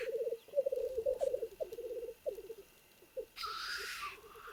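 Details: Black grouse males fighting rivals at a lek in the Trans-Urals, natural habitat: low, rapid bubbling coos in quick rolling bursts, then a sharp hissing sneeze near the end.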